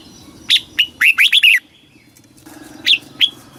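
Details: Caged Red-whiskered bulbul song in the southern master style from Thailand, used to excite birds and tutor young birds: two lone chirps, then a rapid run of four bubbly slurred notes, then two more separate chirps.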